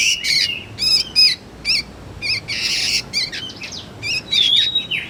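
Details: Juvenile sooty-headed bulbul calling for use as a lure and tutor for magpie-robins: harsh trilled chirps and rasping bursts, then a long, wavering whistled note near the end.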